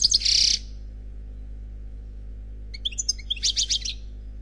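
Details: European goldfinch singing in the Khalwi style, an unpaired bird: a short burst of dense high twittering, a pause of about two seconds, then scattered sharp notes leading into a rapid run of four or five bright trilled syllables, over faint low hum.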